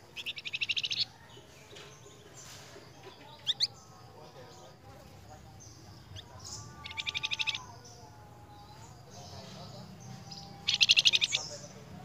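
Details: Flamboyan singing actively, played as a lure song: three dense, buzzy high trills about four seconds apart, with softer sweeping whistles between them and other faint bird notes in the background.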